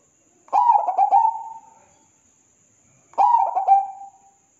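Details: Zebra dove song from a perkutut master recording for training birds: two matching phrases about two and a half seconds apart, each a cluster of fast throaty rolling coos ending in a smooth, level, dying coo; thin constant high-pitched tone in background.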